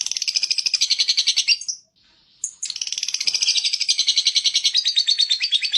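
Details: Lovebird singing in the long ngekek style, offered as tutor material for other birds: a rapid, buzzy, high chatter of evenly repeated notes that breaks off into a brief pause, then resumes and runs steadily to the end.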